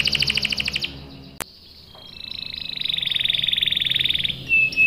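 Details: Canary singing to lure others into answering and rolling: a fast buzzy trill, a sharp click, then a long, even rolling trill that swells, ending in a few loud short notes.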